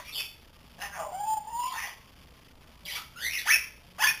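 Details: Three-month-old pet grey parrot learning to talk: a harsh squawk, then a long whistled note rising and falling, a pause, and a burst of sharp rising squeaks and chirps.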